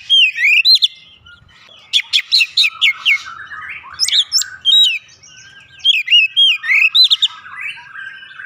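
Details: Oriental magpie-robin lure song to get a bird singing: long run of loud whistled notes, rapid repeated chips and twisting slurs, delivered in energetic bursts with short pauses.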